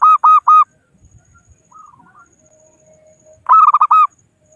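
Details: Calling rivals as a trapping lure, a local zebra dove gives three loud spaced coos, then softer faraway descending notes and a low hum, before a loud burst of rapid rolling coos.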